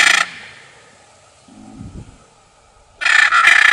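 A blue macaw gives two loud, harsh, raspy squawks, one brief and one drawn out over nearly a second, separated by a quiet gap with faint low rustling.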